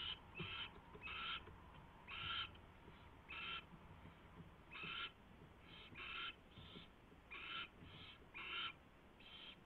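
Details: Owl at the nest on 24 February 2016, 4:21 AM, around a mouse delivery and feeding; short, scratchy hissing bursts repeated roughly once a second, some paired, over faint low rumble.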